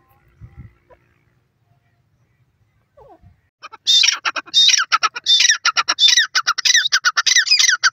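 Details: Grey francolin, known as teetar, calling at home: after about four seconds of near silence with a few soft knocks, loud harsh shrill notes burst in, repeated rapidly in ringing clustered phrases until the end.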